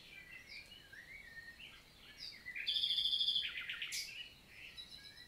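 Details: Common nightingale (Luscinia megarhynchos), daytime summer song recorded 11 June 2023 in forest countryside, Célé valley, Lot, southern France; soft background chirping gives way to a loud buzzy, rapidly pulsed phrase lasting about a second, then fading twitters.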